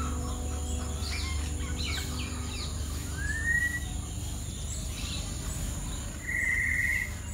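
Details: A red-vented bulbul (Pycnonotus cafer) in Sri Lanka gives a brief slurred rising note, then a short buzzy chattering call, over steady low rumbling background noise and faint distant chirps.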